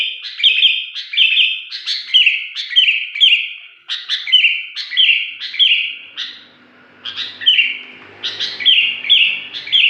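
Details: Sooty-headed bulbul in full song with a strange shrill voice: loud, high whistled notes, each a short upslurred attack then a level buzzy tone, repeated roughly every half second in quick series with a brief pause midway.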